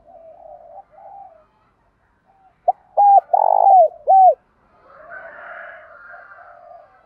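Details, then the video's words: Spotted dove decoy bird giving its urging, calling coo for daily training of captive doves: soft, low coos, then a loud burst of about five bowed, hollow notes, with quieter doves cooing behind. "tiếng thúc gáy gọi chim cu mồi gáy gọi/ luyện chim cu gáy hàng ngày/ cu cườm thúc gáy"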